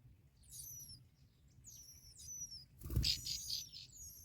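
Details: Bar-winged prinia nestlings as both parents bring black locusts; thin high squeaky notes in short bursts, then a loud thump of movement followed by rapid high chittering.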